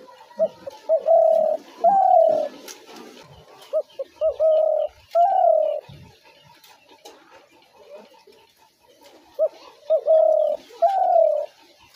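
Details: Spotted dove calls used as a trap lure: clear cooing phrases of two short notes then two long, slightly wavering coos, repeated in three bouts across twelve seconds, with faint background chatter and clicks.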